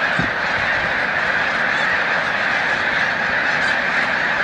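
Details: Massed migrating snow geese at Montezuma, New York, on 7 March 2022. Overlapping high-pitched honks and yelps merge into a loud, constant clamor.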